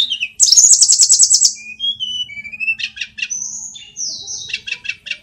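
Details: Indonesian mountain sulingan, also called tledekan, a flycatcher in full song: a few short whistles, then a fast high rattling trill, followed by gliding whistled notes and rapid chattering phrases.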